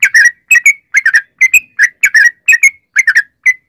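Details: Sooty-headed bulbul in long rolling 'ropel' song, used as a lure to get other bulbuls singing: short bubbly two- and three-note chirped phrases, each ending in a clear whistled note, repeated about every half second against a quiet background.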